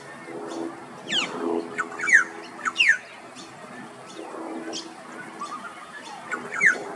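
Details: A male Australasian figbird (Sphecotheres vieilloti) singing in the afternoon in Australia gives loud, sharp, downward-slurred whistles, several within a few seconds, over a murmur of lower background sounds.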